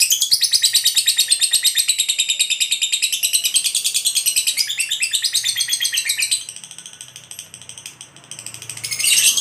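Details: Lovebird giving a long ngekek, a fast rattling chatter of high harsh notes repeated about three times a second, dropping softer after six seconds before a loud burst at the end.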